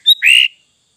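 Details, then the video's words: Sooty-headed bulbul: one short bright note, a high whistle followed by a lower, fuller slurred phrase lasting about half a second, then silence. "Burung Kutilang Fulll isian"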